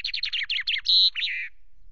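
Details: Common chaffinch singing on a camera perch at Loch Garten, 24 May, while preening: tail of a song, a rapid run of sliding chirps that ends in a loud, sharp flourish, then a lower falling note.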